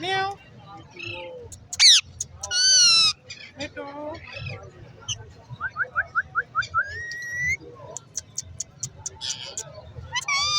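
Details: A green rose-ringed parakeet, a talking parrot at Lalukhet market, chatters in speech-like phrases broken by shrill screeches and a quick run of rising chirps, over a low background murmur.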